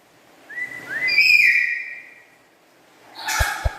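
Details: Black-capped lory kept as a pet, its chatter described as melodious and loud: two rising whistled notes sliding into a bright, ringing tone, a pause, then a harsh, broadband screech with two sharp clicks.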